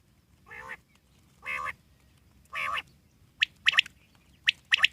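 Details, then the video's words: Three drawn-out nasal, buzzy calls from a wild common quail, each roughly a second apart, followed by quick sharp high notes in short clusters. "Common quail wild life sound /jungli Batir ki awaz"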